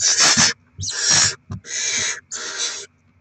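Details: Barn owl gives four harsh, hissing screeches, each about half a second long, with short gaps between them, at a nest where rodents are delivered and chicks are fed, 7 February 2024.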